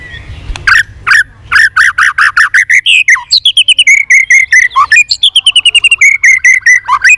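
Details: Caged white-rumped shama trained for singing contests, beating its tail as it sings in many voices. Strong repeated mid-pitched notes build into a fast, even trill of clipped, ringing syllables lasting several seconds.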